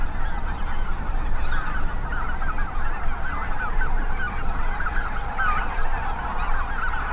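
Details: Mixed spring goose flock at a Grant County, Minnesota impoundment, with Snow and Greater White-fronted Geese in great numbers. Steady wall of high, yelping honks, some rising and falling, layered thickly over constant deep wind roar.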